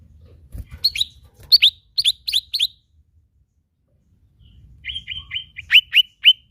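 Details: Lesser green leafbird giving its characteristic sound: sharp, downslurred high chirps in quick clusters. After a pause comes a run of steadier chirps, with faint low rustling in between.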